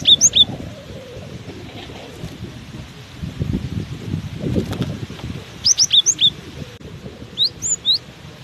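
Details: Cinereous tit keeps singing while buffeted by strong wind: three bursts of high, sharp whistled two-note phrases, repeated quickly, separated by gaps filled with loud low wind rumble.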